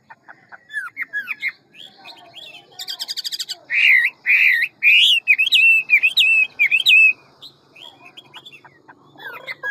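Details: A large Hwamei sings a ngũ trường forest-voice song, quick with many voices. Rising whistles lead to a burst of rapid buzzy notes, then a series of loud looping whistled phrases, then softer warbling.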